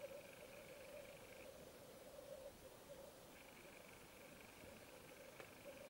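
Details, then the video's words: Male black grouse displaying at an autumn lek in Finland: a continuous, distant bubbling drone holding a steady low pitch with a fainter higher band that drops out and returns, and a single sharp click near the end. "Black Grouse (Tetrao tetrix) autumn lek"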